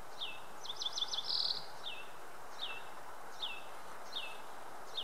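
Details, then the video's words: On Mt. Lemmon, Willow Canyon, Arizona, a singing Yellow-eyed Junco gives a quick run of high trills, then slurred descending whistles about once a second, over a steady hiss; a Hutton's Vireo calls regularly in the background. "Yellow-eyed Junco - Junco phaeonotus"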